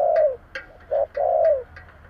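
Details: Lure-calling spotted dove with the 'giọng thổ' voice: a long falling coo, a short note, then another long mellow coo, with crisp clicks between the notes.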